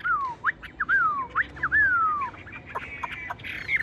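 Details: Tame caged Chinese hwamei singing: clear whistled notes that slide downward, with several long falling slurs in the first two seconds, then fainter, shorter rising and falling notes over a quiet low hum.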